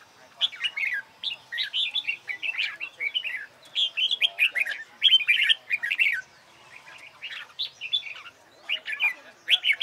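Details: Red-whiskered bulbul competition song, recorded as singing training: rapid series of clear, warbled whistles and chirps, phrases of a second or so repeated with brief gaps, loud and fairly clean.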